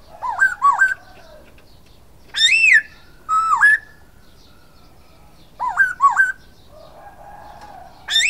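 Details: Varied whistled song of a silver-eared laughingthrush: paired wavy upslurs, a bright arched note, a dipping level whistle, then the paired upslurs again and a soft low warble.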